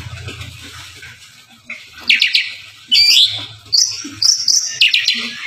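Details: Oriental magpie-robin (kacer) in energetic 'gacor', 'full isian' singing, used as training song to prompt other kacer to sing: loud, high, varied whistled and chattering phrases in bursts separated by short pauses, with a faint low hum early on.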